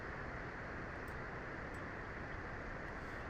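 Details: Steady low rumble of vehicle or engine noise throughout, with no animal voice heard.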